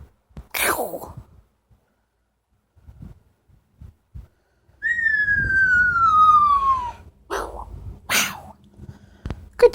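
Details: Lily, a pet female Amazon parrot, gives a clear, drawn-out whistle that slides steadily downward over two seconds, with short harsh bursts before and after it.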